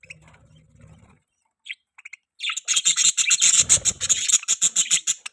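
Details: Pet budgerigar in mating behaviour: a few soft clicks, then a loud, fast, continuous chattering warble of high chirps, several notes each second.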